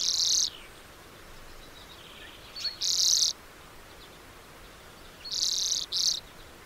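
A lesser redpoll gives high, buzzy, rattling bursts, each about half a second long, in four bouts over several seconds against a quiet background.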